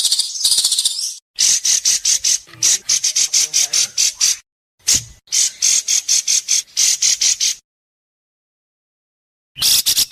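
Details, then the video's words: White-rumped shama in an Indonesian singing competition, delivering sharp rapid bursts (besetan) that caught the judges' attention: dense buzzy high note trains in three long runs, broken by short silences. "Masteran besetan tajam!Langsung dikunci para juri"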